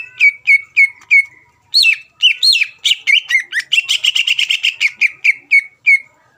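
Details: Greater green leafbird lure song intended to rouse rival birds: evenly spaced downslurred whistles open, followed by a quickening rush of tightly packed chirping notes near the middle, then slower repeated whistles trailing off.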